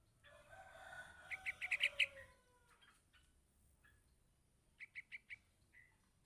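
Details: Yellow-vented bulbul nestling calling its parent: a tight burst of six piercing chirps after soft tonal notes, then quiet, then a shorter run of four chirps and a single faint note.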